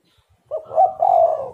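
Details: Spotted dove giving one low cooing phrase as a lure to rouse other doves; a short opening note followed by a longer rolling coo, in a quiet setting.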